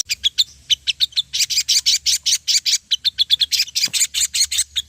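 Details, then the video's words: Ruby-throated bulbul song played as a lure to prompt singing: a dense, fast run of high chirps repeated several times a second, almost continuous after the first second, over a faint low hum. "PANCINGAN SOGON PALING AMPUH SEKALI DENGAR BURUNG LANGSUNG NEMBAK"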